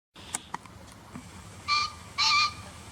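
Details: Green pheasant call dubbed in from a bird field-guide recording over footage of a pair feeding in a rice paddy in early April 2021: two harsh, loud, harmonic bursts about half a second apart, after faint clicks and soft background noise.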